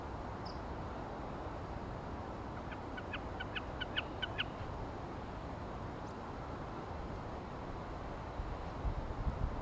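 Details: Common snipe singing in Iceland, 2014: a quick run of about eight sharp, evenly spaced ticking notes lasting under two seconds, over a steady roar of wind.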